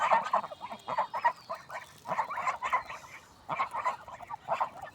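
Swans give harsh, nasal honks in irregular bursts, roughly one a second. The calls overlap, suggesting more than one bird.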